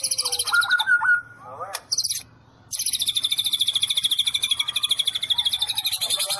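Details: White-rumped shama performing 'sambaran listrik', the electric strike style: a brief whistled trill, then long stretches of a very high, fast, buzzy pulsed rattle repeated in even bursts.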